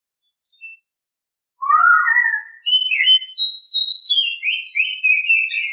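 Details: Oriental Magpie-Robin morning song opening with a lower rising whistled slur, then a rush of high sweet whistles descending into rapid repeated chirps and twitters.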